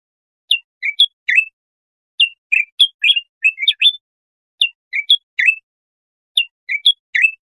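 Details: Singing bulbul, recorded to tutor young goldfinches or hybrids. A short three-part phrase of sharp, bright chirps is repeated about every two seconds, with silent gaps between phrases.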